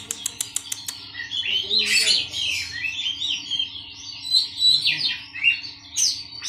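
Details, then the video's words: A colony of caged Oriental magpie-robins, housed together to steady a nervous bird. It opens with a quick run of sharp clicks, then a continuous warbled song of rising and falling whistles and buzzy notes. "kacer giras dikoloni saja"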